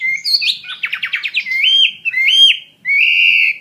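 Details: Fighting-type Chinese hwamei delivering loud clear whistles: a quick stuttering series of rapid notes, then long rising-and-falling slurred phrases separated by a brief pause.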